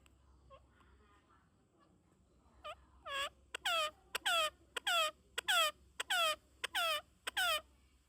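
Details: Parrot calling in a rapid series of about ten loud, harmonic squawks, each sweeping sharply downward, repeated roughly every half second after a few softer notes, with a low steady hum beneath.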